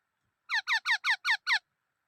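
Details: Black-throated laughingthrush giving six rapid, squeaky, downward-sweeping notes with rich harmonics, evenly spaced over about one second, against a silent background.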